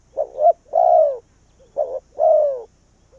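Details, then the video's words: Cu gáy decoy bird, a spotted dove drawing in wild doves, gives two cooing phrases: a short double note rising, then a drawn-out falling coo. "Cu Gáy Việt Rút Bổi Về Chung Tàn | suara burung tekukur"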